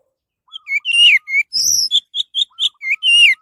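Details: Lure recording of an orange-headed thrush song: quick varied whistles and chirps, some falling and one high buzzy note, over a steady series of faint lower whistled notes repeated in the background.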